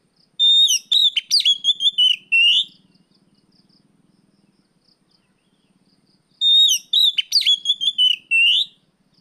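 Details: An Oriental magpie-robin sings its afternoon 'riwik plong' song, recorded to lure and train other birds. Two strong whistled phrases of sharp, twisting notes with a long closing whistle, separated by a quiet gap of about three and a half seconds.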